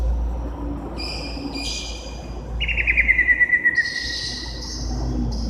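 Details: Greater green leafbird from Indonesia chirping: a rapid descending series of sharp, clear notes, preceded and followed by steady whistled tones, over a constant low hum.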